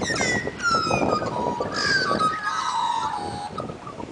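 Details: Australian magpies singing at Dimboola, Victoria, Australia: fluting, harmonic warbled notes with descending glides and bending whistles, overlapping in a rich chorus over a steady background rumble.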